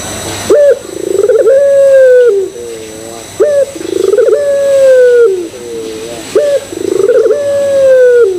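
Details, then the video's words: Barbary dove cooing as a lure for other doves: three phrases, each a clipped rising note followed by a long steady coo and a low, falling trailing murmur. Spaced about three seconds apart in a quiet background. "Pancingan Puter Pelung Bikin Puter Pelung Yang Lain ikutan Gacor"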